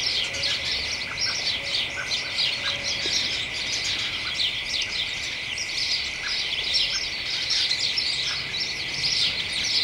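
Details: A flock of house sparrows with other birds chatters excitedly and nonstop in a garden hedge on a late afternoon in early December: a dense, overlapping jumble of bright chirps and cheeps under a steady high hiss.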